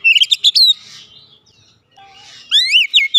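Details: Oriental magpie-robin (kacer) singing gacor, played as therapy for a bird that has gone quiet: quick rising chirps, a near-silent pause with one soft low whistle, then loud upward-sweeping whistled notes.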